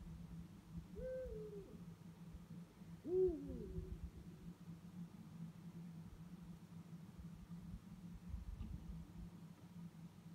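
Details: Two Eurasian eagle-owls calling at night give two deep, booming hoots a couple of seconds apart, the second slightly louder, over a steady low rumble.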